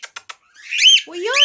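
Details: A white-faced male cockatiel gives three sharp clicks, then arched, whistled chirps and a lower, voice-like warble.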